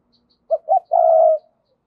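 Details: Decoy spotted dove calling to provoke wild doves: two quick low coos followed by a longer, steady, hollow coo lasting about half a second, in a quiet setting.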